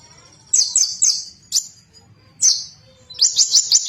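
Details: Konin bird singing loudly to provoke rivals: bursts of sharp, high chirps and short descending trills, with quiet pauses between phrases and a fast run of repeated notes at the end.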